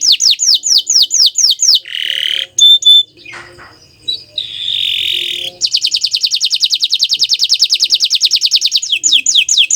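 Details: Bottle-green canary opens with quick falling whistles, drops into lower buzzy and scratchy notes with a pause, then delivers a long rapid rolling trill of high repeated syllables.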